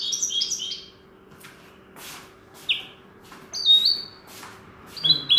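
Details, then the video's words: Linnet taught the goldfinch's song opens with a fast cluster of high, liquid twitters. After a pause come separate sharp chips and a few clear, slightly falling whistled notes. "Pardillo educado a cante de jilguero"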